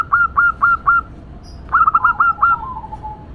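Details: Local female zebra dove cooing loudly. Four sharp staccato notes are followed by a second rapid burst of about six notes, which trails into a soft falling coo.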